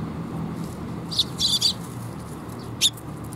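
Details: Sparrows coming for food at a perch, recorded 7 June 2021. A short burst of squeaky, high chirps, then a pause and one final sharp chirp, over quiet low background noise.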